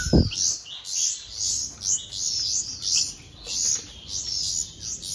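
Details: Bulbul chicks being hand-fed, giving high, harsh begging calls in rapid bursts about twice a second, with a brief low thump at the start.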